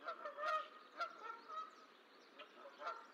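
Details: At the Decorah eagle nest, where the last of six goose eggs hatched on 14 April 2024, a few harsh nasal honks sound at uneven intervals between quieter gaps.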